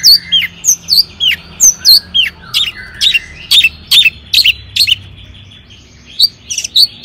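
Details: Long-tailed shrike singing to rouse other shrikes: a steady series of sharp, downslurred whistled notes, several per second, with a brief pause near the end before the notes resume.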